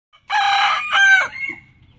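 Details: Rooster crowing: one loud, hoarse cock-a-doodle-doo lasting about a second, a rich harmonic phrase rising to a strained peak before a short trailing note, in near silence.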